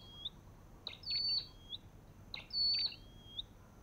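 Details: Olive-backed tailorbird calling in a regular pattern: a short sliding whistle, then a strong high flat whistle with clicks and a falling lower whistle, repeated about every one and a half seconds.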